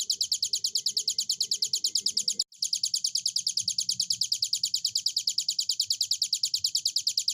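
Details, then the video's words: Hill prinia singing strongly and continuously: high, sharp notes repeated around three per second in a regular pattern, briefly interrupted by a short gap, with a quiet low background rumble. "burung ciblek gunung durasi panjang gacor"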